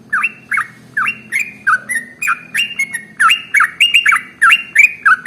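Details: Male yellow-vented bulbul (trucukan) in rapid 'ropel' song style, used as a lure to get other birds singing: quick run of slurred notes dipping and rising, about three per second, each with a sharp high click.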